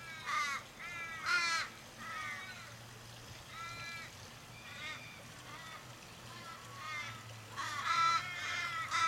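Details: Australian ravens around a dying flock mate on a Kellyville street in Sydney, 1 July 2012. Scattered harsh caws, louder at the start and end and softer in between, over a steady low hum and faint human voices.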